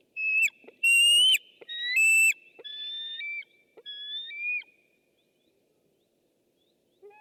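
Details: White-tailed eagle picked up by a webcam on 6 August 2015: loud, high whistled calls with harsh overtones, several rising or stepped notes in the first four seconds, then quiet with a faint low note at the end.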